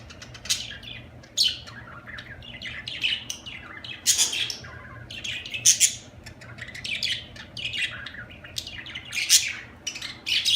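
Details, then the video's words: A long stretch of budgerigar chatter, continuous high chirps, buzzy warbles and frequent loud squeaks throughout, rising in intensity around the middle, with a faint hum beneath. "اجمل تغريد في العالم طيور الحب البادجي"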